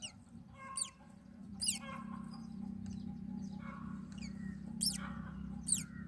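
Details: Myna chicks in the nest give harsh, rasping squawks that sweep downward, bursting out about once a second over a steady low rumble, while the mother feeds them on their second day of filming.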